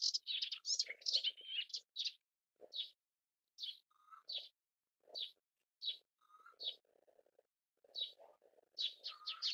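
A melodious warbler sings a fast, chattering jumble of high chirps and twittering notes.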